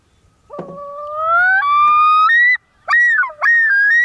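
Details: On an early spring morning on a lake in northern Wisconsin, a common loon gives a long, mournful, tremulous call that slides upward and climbs in steps through several drawn-out notes with brief breaks, over a quiet background.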